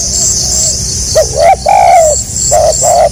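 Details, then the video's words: Spotted dove, stuttering gagap coo: two short rising notes lead into a long slightly falling coo, then paired short coos, with a high insect drone throughout. "SUARA BURUNG TEKUKUR GAGAP RAPAT SELANG NGUKU"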